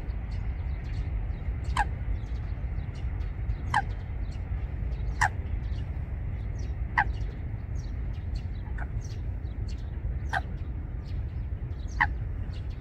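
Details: Eurasian coot pair nest-building among water plants, Wangsong Lake: seven clipped, abrupt calls, each dropping slightly, repeated roughly every one and a half to two seconds against a low droning rumble and light clicking.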